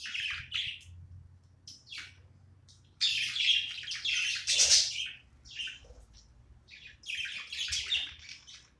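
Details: Budgerigar chirping as it plays: irregular buzzy chirps at first, then a loud sustained burst of grating warbled chatter, a lull, and another chattering run.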